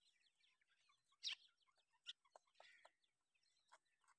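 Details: Young grey francolin chicks of the Dakni Irani type, kept for sale, giving faint, scattered high cheeps and short chirps, with a few louder sharp notes near the middle.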